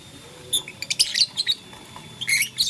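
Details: Blue lutino and green lovebirds playing with a flower: a rapid, busy series of short high squeaky chirps, ending in a dense scratchy burst.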